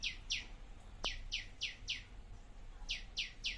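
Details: Garden bird in a mini food forest repeating quick, falling chirps in bursts of several, with a brief pause partway through, over a low background rumble.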